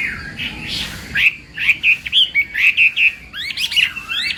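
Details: Chinese hwamei in a singing contest, morning voice training: after a muffled first second, loud clear whistled notes near the same pitch repeat about every quarter second, ending in rising and falling slurred whistles.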